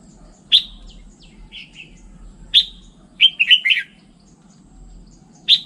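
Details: Song of a Red-whiskered bulbul: sharp whistled notes and short warbling phrases of three to four descending notes, repeated at intervals of about two seconds against a quiet steady hum.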